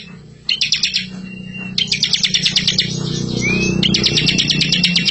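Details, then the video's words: Bar-winged prinia singing fast, rolling bursts of sharp, high chipping notes, with a short rising whistle between bursts over a low hum; a master recording meant to lure young prinias. "masteran ciblek super gacor full isian ngerol"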